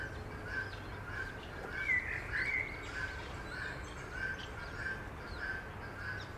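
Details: Coot family, Eurasian coot with seven young, at Beverwijk in the Netherlands: steady series of short piping notes about every half second, one louder squealing whistle near the middle, and low background noise.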